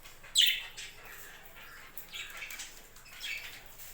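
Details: Budgerigars at a home budgie farm; one sharp, loud chirp opens, followed by softer rasping chirps and faint chatter from other birds.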